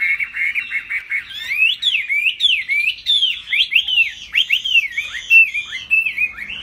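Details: Laughingthrush, fig-leaf tail broad and durable, bowing and tail-flapping as it sings high: quick repeated notes open, then looping whistled phrases rise and fall without pause.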